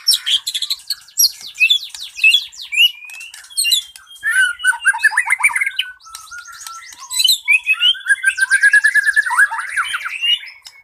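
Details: White-rumped shama with plenty of mimicked 'isian' phrases, singing continuously as a lure for birds that won't sing: fast chattering bursts, rapid trills and buzzy runs, high and loud, with brief gaps between phrases.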